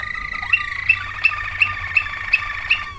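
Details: Waterslager canary from 2009 singing a steady tone overlaid by evenly spaced bright clicks, roughly three per second.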